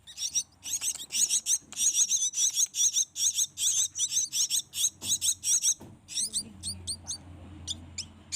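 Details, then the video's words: Young black-winged mynas kept since small and fed by hand beg with loud, scratchy, high-pitched calls, fast and insistent for about six seconds, then thinning to a few sparser, thinner notes. "Kasi Makan Anakan Burung Jalak Yang Masih Di Suap"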